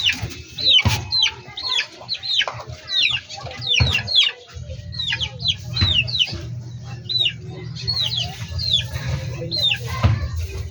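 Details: Chickens in a backyard poultry flock giving a busy stream of high, sharply down-sweeping peeping calls, many overlapping and repeated every half second or so, over a steady low mechanical hum.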